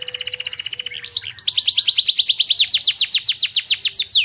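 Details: Canary with pleci (white-eye) material in its song, used to raise excitement: a fast, even rattle and twisting notes, then a long, accelerating run of loud descending slurred notes, about five per second, in continuous rhythm.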